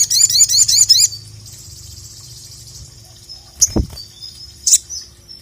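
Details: Ruby-cheeked sunbird singing energetically to summon and provoke a rival: a one-second volley of quick, high, down-slurred notes, followed by a faint sustained thin tone, a couple of sharp clicks and a soft thump.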